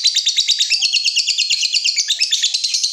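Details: Lovebird ngekek, the long trilling chatter used to stir other lovebirds into song: three seconds of fast, evenly spaced, shrill pulses in a thick, scratchy rattle that never pauses.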